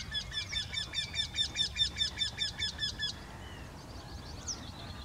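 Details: Eurasian wryneck, with two birds singing in a single tree, delivers about three seconds of rapid, regular, nasal quee notes that stop abruptly. Faint thin calls follow in the quiet afterwards.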